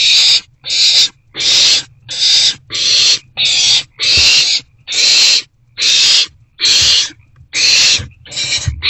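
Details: Owls at a nest box during two rodent deliveries, 29 March 2024, early evening: a long run of rasping, breathy screech bursts, about a dozen in nine seconds, evenly spaced. Faint low knocking noises sound underneath.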